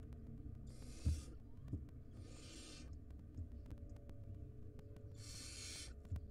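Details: At a barn owl nest during food scarcity caused by a long storm, nestlings give three breathy, screeching hisses, each under a second, with a low thud near the start.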